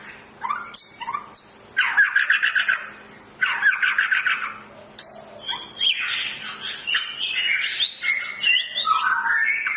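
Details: Long-tailed Medan white-rumped shama during breeding pairing, with bursts of harsh, squawking repeated notes alternating with whistles and a continuous scratchy chatter toward the end.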